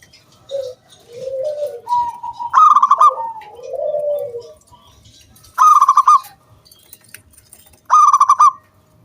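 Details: Local wild zebra dove singing as a lure to prompt other doves to sing: soft low coos, then three bright stuttering cooing bursts, each a quick run of ringing notes spaced about three seconds apart.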